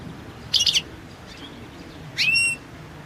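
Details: Balkan goldfinch (Carduelis carduelis balcanica) competition song entry from 2022: a quick tinkling cluster of high notes, a pause, then a sharp rising note drawn into a clear, level whistle with ringing overtones.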